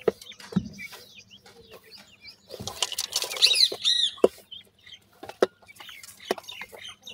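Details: Hatchling grey francolins chirp softly. A burst of clear, downslurred high peeps comes midway, set among rustling, tapping clicks and a low background hum.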